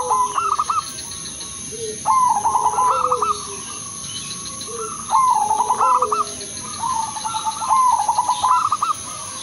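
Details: Udanmas silver crosing zebra dove singing a melodious lure song: four trilled cooing phrases, each a fast staccato run of notes ending in a rolling flourish, roughly every two seconds, with faint lower coos and a constant high-pitched hum.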